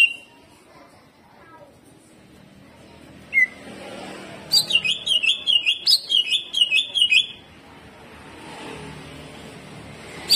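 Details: After a quiet stretch with one sharp note, a greater green leafbird launches a three-second jamtrok burst of rough, rapid zigzagging whistles and crackling chips, then falls silent again.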